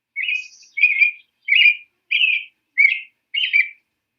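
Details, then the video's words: American robin in the Boston area singing six short, clear caroling phrases, each slightly rising and falling, spaced about half a second apart, with no other sounds. "A robin sounds like this."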